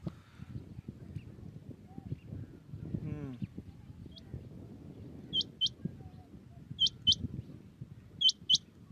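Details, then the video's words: Common quail singing in the early morning in Pakistan: short, sharp, high notes delivered in quick pairs, three pairs spaced about a second and a half apart, after a low rumbling background and a brief voice-like sound. "Batair Ki naye Awazay| New Common Quail sounds| Batair Ki Awaz | Quail singing early morning in pak"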